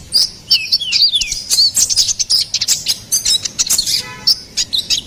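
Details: Ruby-cheeked sunbird singing as a master and lure recording for songbirds: quick, very high twittering, with thin whistled slurs dropping in pitch and dense clicky chatter throughout.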